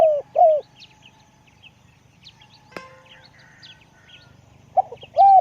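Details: Spotted dove calling with a big voice: two short hooked coos, about four seconds of near quiet with a single sharp click, then two more coos. Faint high chirps and low hum run throughout.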